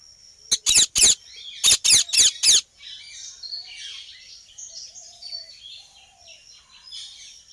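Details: Ringneck parrot calling outdoors: a burst of loud, harsh, high screeches in two quick groups of three and four, then fainter chattering and chirps from other birds in the background.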